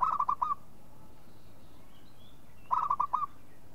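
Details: Two phrases from a local zebra dove, each a fast cluster of five mellow cooing notes ending in an upturned tail. Faint high thin whistles drift between them.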